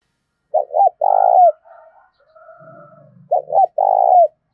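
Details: Spotted dove giving its coo to rouse a decoy bird. Two phrases, each of two quick hollow notes and then a sustained rolling coo that slides down at the end. Soft murmured coos and a faint low rumble fall between them.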